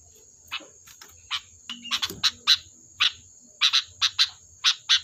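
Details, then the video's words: Sooty-headed bulbul, used as a lure to draw other birds to answer: a busy run of short, sharp chirps and clipped notes in uneven bursts, some doubled, with a faint steady high whine behind. "Suara burung Kutilang Gacor || Ampuh untuk pancingan, dijamin nyaut"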